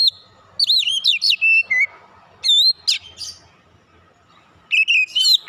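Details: Oriental magpie-robin singing as a lure, rich whistled slurs mixed with harsh chips in a fast opening run, then single bright whistles and a closing burst after a quiet gap.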